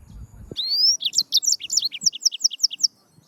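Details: A yellow-fronted canary (Serinus mozambicus) gives a clear rising whistle, then a lively, regular series of high paired chirps, roughly five per second, over faint low background noise.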